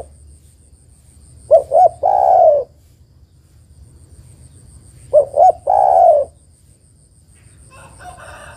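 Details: Female spotted dove calling to a male, a recording for luring birds: two low cooing phrases about four seconds apart, each two short coos followed by a longer drawn-out coo, with faint background hum.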